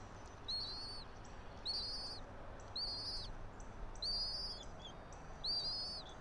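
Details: Wild bald eagle at its nest high in a pine, Johnson City, Tennessee, morning of 3 April 2024; five thin, squealing chirp phrases spaced a little over a second apart, each slightly rising then falling, with faint background hum.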